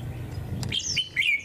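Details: Warbling white-eye (khuyên họa kép) singing on a cold day, 11°C: three or four thin, high, sliding notes in quick succession, after a sharp click, over a faint low hum.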